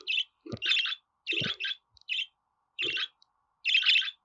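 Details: Budgerigar chirping, played so pet budgies will sing and talk: short buzzy warbled notes in bursts with pauses between, a few low thumps beneath.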